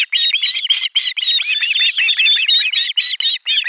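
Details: Osprey chicks at a nest in Finland on 18 July 2022, loudly screaming in chorus as a fish is brought in; rapid overlapping shrill, whistled cries repeated several times a second.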